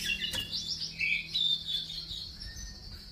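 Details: White-rumped shama, an F5 crossbreed of Bordanias and Balak Sabang lines, singing clear whistled phrases that slide up and down, with rapid warbled notes and a sustained high note over a steady low hum.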